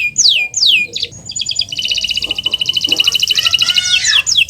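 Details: Canary master song meant to trigger silent canaries: opens with loud downslurred whistled sweeps, then shifts into a long rapid buzzy trill with thin sustained tones beneath, closing with more quick sweeps.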